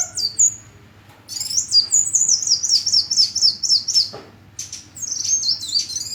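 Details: A hummingbird pours out a fast series of high squeaky notes, each dropping in pitch, repeated in a rhythmic chain, then short bursts of thin chirps.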